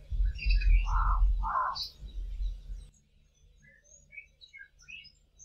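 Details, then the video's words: Two Cape crows calling from the tops of trees in a South African dawn chorus: two rough caws in quick succession over low rumbling wind noise, followed by scattered high chirps of other birds. "CAPE CROWS calling in the dawn chorus"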